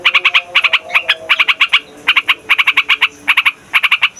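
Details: Yellow-vented bulbul giving a loud, busy rolling song used as a lure for trapping wild birds: bright chattering notes in quick bursts of three to five, separated by short pauses, with faint lower tones underneath.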